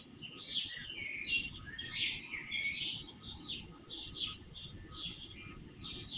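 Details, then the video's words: Night birds heard before sunrise on an IP surveillance camera recording, volume tripled; warbling chirps and sliding notes from a few birds, louder bursts around two and three seconds, over hiss and a steady faint hum. "Night Birds Song"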